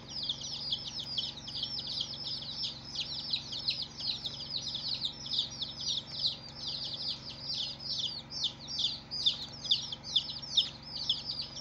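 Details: Baby chickens on their first day after hatching, a crowd of chicks peeping nonstop: high, thin, downward-sliding cheeps overlapping densely, roughly two or three a second, with a steady low hum underneath.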